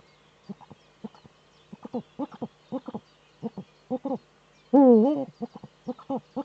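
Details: Male Eurasian eagle-owl courting in the breeding niche of a webcam-monitored nest in northern Rhineland-Palatinate, Germany, on 4 May 2013: low, short staccato pulses in irregular clusters, then one loud, drawn-out, wavering call near the end, followed by more pulses.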